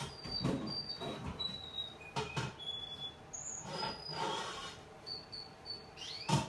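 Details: Young male Russian canary in the evening giving scattered short, high whistled notes with pauses between them, mixed with knocking and rustling thumps.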